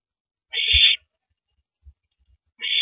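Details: Owl at its nest on April 9, 2012 at 9:14 PM, as the male passes a rabbit to his mate after feeding; two harsh, hissy bursts about half a second long, with faint low thumps between them.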